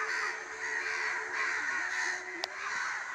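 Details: Crows calling in a village in the evening: harsh, overlapping cawing from several birds forms a continuous raspy chorus, with a single sharp click near the end.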